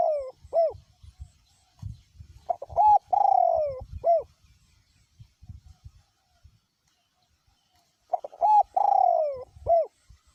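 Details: Spotted dove decoy with a small-to-middle voice style cooing through strong wind; the end of one phrase, then two complete repetitions of quick short coos leading into a long sliding coo and a closing short coo, between low knocking sounds.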